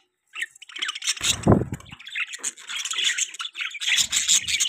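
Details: Chattering budgerigars giving a continuous stream of scratchy, warbled chirps and squeaks, with a brief low thud near the start of the sound.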